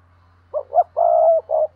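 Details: Single phrase from a decoy spotted dove calling thúc and gáy gọi style, 2022: two short rising notes, a long smooth steady coo, then one brief closing note, over a low hum.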